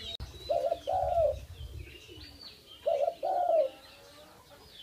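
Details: A keeper's tame dove repeats its two-part coo, a wavering short note and a longer falling note, twice, over a noisy background with low rumble and other high bird chirps.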